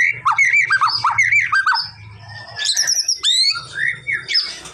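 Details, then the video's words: White-rumped shama song used to provoke a response from lazy-singing birds: varied rich whistled phrases, rising and falling notes, harsh squawky bursts and high sweeping notes in quick succession, with a low steady hum beneath. "MURAI BATU MALES BUNYI!!! CUMA BUTUH 5 DETIK LANGSUNG RESPON!!!"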